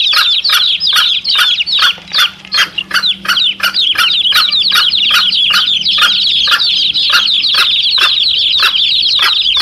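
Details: Chicks calling with their mother hen, a recording used to lure wild male junglefowl. Many high, shrill peeping chirps overlap continuously, broken by sharp click-like pulses roughly every half second, with no other clear sounds.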